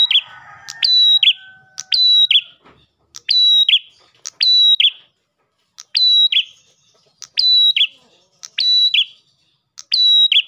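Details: Persistent Ash tailorbird song meant to draw in other tailorbirds. Each phrase is a crisp tick, a steady piercing whistle and a dropping buzz, given roughly every second. Some softer lower chatter opens the recording.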